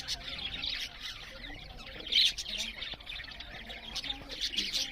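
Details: Several budgerigars chatter as they eat, soft high scratchy twittering with one louder squeaky burst partway through, over a quiet background.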